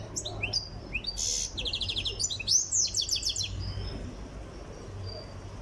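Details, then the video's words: European goldfinch of Tiaret, in training and almost ready, sings a bright tumbling phrase of high twitters, a harsh buzzy note and quick repeated trills, then goes quiet for the final seconds. "تغريد مقنين تيارت (في طريقه إلى الجهوزية)"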